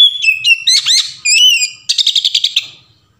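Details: An Oriental magpie-robin sings a rich, varied phrase of clear whistles and sweeping slurs, ending in a rapid chattering trill of about eight notes; a varied, open song used as a lure to prompt other magpie-robins to sing.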